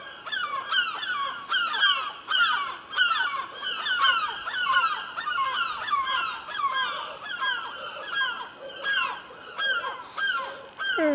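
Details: Several herring gulls circling over a house after perching by a rooftop chimney pot, giving continual loud, harsh, rapidly repeated yelping calls in overlapping series, with a man commenting nearby.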